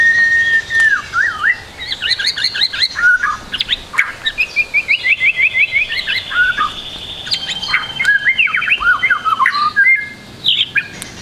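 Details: White-rumped shama full varied song, played as a tutor for young shamas: a long whistled note, then quick rapid trills, downslurred whistles and a high sustained tone, in busy rhythmic bursts.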